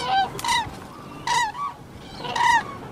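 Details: Koonj cranes in crop fields calling in three loud, rolling, trumpeted bursts about one second apart, each note bending slightly downward at its end.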